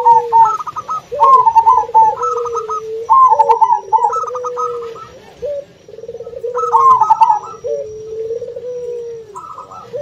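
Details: A zebra dove gives rapid bubbling, staccato coos that rise and fall in quick phrases, a calling song meant to draw rivals, while a second dove adds lower, drawn-out coos.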